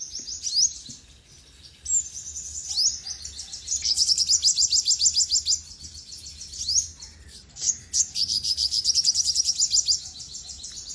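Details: Olive-backed sunbird, locally called sogok ontong, singing: high, thin, rapid trills of sharp ticking notes in bursts of several seconds. Short upslurred whistles and brief pauses break up the trills.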